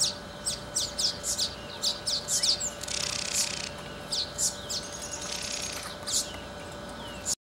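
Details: Male Southern masked weaver (Ploceus velatus) weaving its nest near Magaliesberg, South Africa, in November, giving quick, high, scratchy chips and buzzy chattering notes, about one a second, with a steady low hum underneath.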